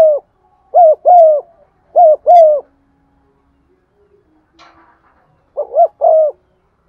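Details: Lure spotted dove cooing in a practiced pattern to stimulate other doves: three phrases of clipped and drawn coos, a pause with a brief faint noise, then one more phrase.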